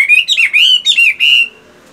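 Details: A captive Chinese hwamei, moulting but still in morning song training, gives a loud, rich phrase of bright whistled notes that slur up and down, with about four quick bursts in a second and a half before falling quiet.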